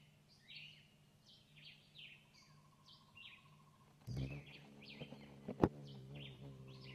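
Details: A Bee hummingbird in Cuba feeding its chicks: thin, high chirps repeated several times a second throughout, over a steady low hum, with a brief thump and buzzy noise midway.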